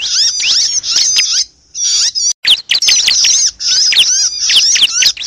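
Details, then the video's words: Distress screams of a bar-winged prinia (ciblek), played to lure birds for trapping: shrill, chattering bursts of sweeping high notes. A short silence follows the first second and a half, then a few sharp clicks before the frantic chatter resumes. "suara pikat burung ciblek paling ampuh || mp3 ciblek kejepit"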